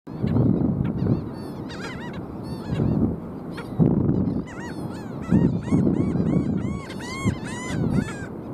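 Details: Several Black Skimmers (Rynchops niger) call in a busy chorus of many overlapping nasal, barking yelps over a low rumble of wind or surf.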